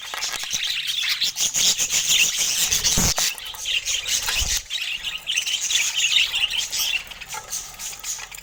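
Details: Several pet budgerigars with colour mutations in steady, busy chatter, a high, scratchy warbling stream broken by two dull thumps partway through.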